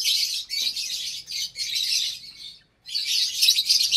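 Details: Dozens of lovebirds in a breeding aviary at meal time, January 2023, mixed colour mutations with chicks: continuous shrill, high chattering calls in dense overlapping bursts, one brief silence before the chorus resumes.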